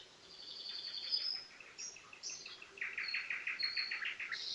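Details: Common nightingale song heard at some distance: a fast series of repeated chirping notes and brief high whistles, with overlapping birdsong and a faint low hum in the background.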